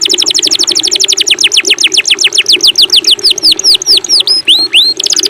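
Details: Tutor song for captive white-rumped shamas, filler phrases: a long fast series of high chipping notes that slows into separate sweeping whistled notes, some rising and some falling, before the rapid chips start again.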